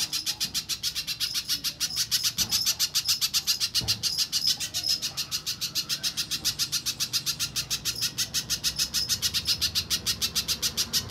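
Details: Little spiderhunter lure, aimed at getting other spiderhunters to sing. A long, relentless run of sharp high chips at a steady quick tempo, with occasional faint knocks behind it.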